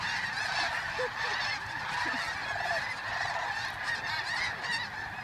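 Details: Hordes of geese departing at sunrise from Bosque del Apache, San Antonio, New Mexico, November 2013; thick honking chorus with several short, distinct lower calls early on over the massed flock.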